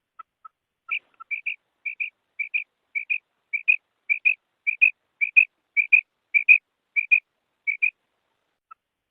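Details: Female quail calling, recorded in Pakistan or India, also used for breeding and training: paired high, clipped whistled notes repeated steadily about twice a second, with a few softer lower single notes at the start and end, no other sounds.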